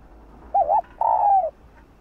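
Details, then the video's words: Cooing of a female spotted dove, meant to excite males to call: one phrase made of a quick wavering double note, a short pause, then a long, smooth, gently descending coo. "Tiếng cu gáy Mái ,cu mái kích trống nghe là gáy 100%"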